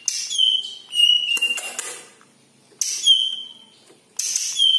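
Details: Cucak ijo kepala kuning (yellow-headed green leafbird) giving strong level whistles with high ringing overtones, repeated in phrases, mixed with short scratchy notes.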